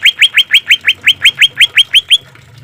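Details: Green leafbird, a caged-bird training recording with harsh 'shot' song fill and trickling water: a fast series of thirteen identical rising whistled notes, about five per second, then the song stops abruptly.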